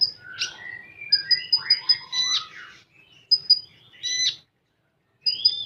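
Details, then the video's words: 'Full tembakan' song of a common iora: a quick series of five clipped high pips, then rich swooping whistles and a harsh burst, a brief silence, and a final rising whistled note. "Burung Konin Full Tembakan"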